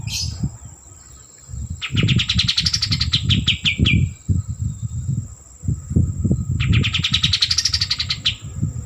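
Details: Actively singing white-eared bulbul: two separate bursts of quick chirping trills, each swelling upward in pitch then falling away, with persistent low rumbling noise between phrases.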